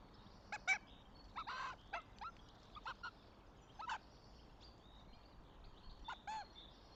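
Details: Goshawk nest, Tartu, Estonia, 26 April 2025: a northern goshawk utters irregular harsh, nasal notes, some in quick pairs, over about six seconds while songbirds twitter faintly.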